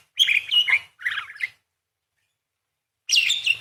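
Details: Lively parakeet singing in the Indonesian 'gacor' style, used as tutoring material for songbirds: harsh, buzzy warbled bursts in three phrases, the first two close together and the third after a pause of about one and a half seconds.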